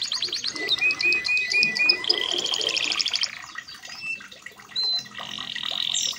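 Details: Training song of a red canary: short flat whistles repeated in a row, then a dense rolling trill slurring downward, followed by quieter scattered high notes and a brief sustained tour near the end.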